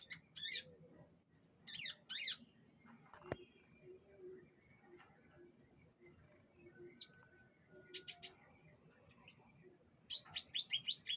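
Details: Canary at a pengembunan (dew-exposure) session gives scattered high chirp clusters separated by quiet gaps, a single click, a brief whistled note, then a run of quick repeated high notes at the end.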